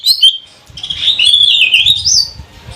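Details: Caged lesser green leafbird of the trotol or kuningan type from Banyuwangi, used as a lure to set other birds singing: a flowing run of whistled, warbling phrases sliding between mid and high pitch, with a faint low rumble beneath.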